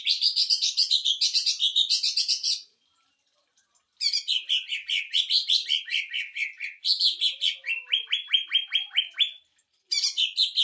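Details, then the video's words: Greater green leafbird delivering sewing-machine style rapid chatter for training other birds, several bursts of quick repeated notes, some falling in pitch, one series of evenly spaced descending strokes, separated by short pauses. "CUCAK IJO TEMBAKAN MESIN JAHIT UNTUK MASTERAN DAN PANCING EMOSI"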